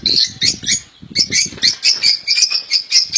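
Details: European goldfinch kept in a cage, its song called error-free: rhythmic, twangy twittering notes repeated roughly every quarter second, with faint low rustling beneath.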